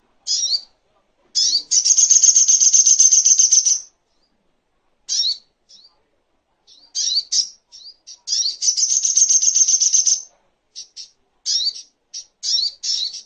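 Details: Little spiderhunter singing, recorded as a master for training songbirds: short high slurred notes alternate with two long, even, buzzy trills of several seconds, separated by silences, ending in scattered sharp chips.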